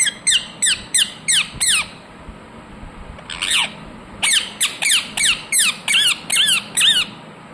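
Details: Pet ringneck parakeet calling indoors: a rapid string of loud, harsh, downward-slurred screeches, several bursts before a short pause, then a longer run of more than ten shrill notes.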